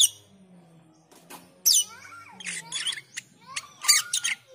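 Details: Calling black-winged myna, including 'ngriwik' and 'teler' call styles meant to train cucak keling: rasping bursts, squeaky notes and sliding whistles in an irregular sequence, with a soft low drone beneath.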